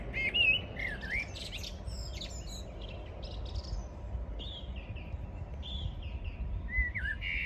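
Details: Morning birdsong recorded on 14 June 2022: scattered whistled notes and brief rising and falling phrases with pauses between them, set against a constant low-pitched background hum.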